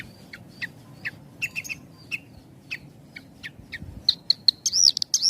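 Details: Javan bush lark singing with tight pauses, played for training young birds: scattered short chips spaced irregularly, ending in a louder run of rising and falling whistled slurs, over low background hum.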